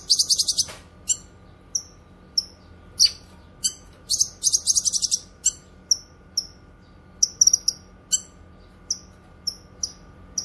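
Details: Vocal cucak kinoy, for training songbirds and luring wild birds: an opening rapid rattle of high notes, then dense chirping bursts and widely spaced short falling whistles repeated roughly every half second, over a low steady hum.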